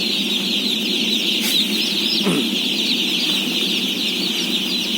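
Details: A massed chorus of day-old chicks, about 17,000 being fed, gives constant shrill, wavering peeps layered into an unbroken wall of sound above a low mechanical hum.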